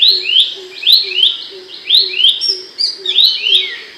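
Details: Brief stretch of loud, sharp Abbott's babbler song for training songbirds: paired and tripled quick down-slurred chirps, a high thin note near the end, with a soft regular low pulse beneath.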